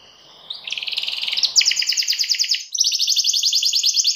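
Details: Canary singing to draw a rival into singing too: faint at first, then swelling into loud, rapid rattling trills with a sudden shift to a higher, buzzier trill partway through.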